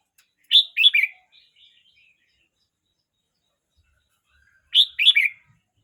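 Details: Young red-whiskered bulbul, 12 months 29 days old, gives a short burst of three or four loud, liquid whistled notes, then falls silent before repeating a similar lilting phrase about four seconds later.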